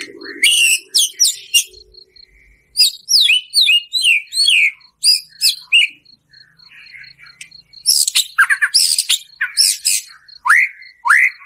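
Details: White-rumped shama in energetic song with fill-ins and harsh 'shots', aimed at provoking another shama: sharp descending whistled phrases, noisy bursts, and downslurred notes toward the end, with a constant high ticking underneath.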